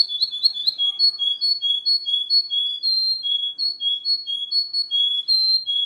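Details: Russian canary singing in a quiet room: a bright, high whistled song of short clear notes repeated in quick even rhythm, about two per second, alternating between two close pitches.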